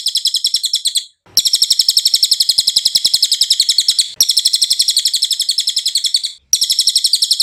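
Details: Cililin song for tutoring songbirds: rapid, high, repeated chirping notes in long phrases with a few short breaks, bright and rhythmic throughout.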